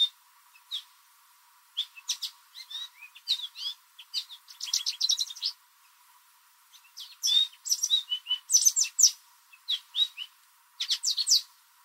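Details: Backyard American goldfinch singing in spring, a probable mating song to draw other goldfinches: separate bursts of quick high chirps and rattling twitters, broken by pauses of a second or more.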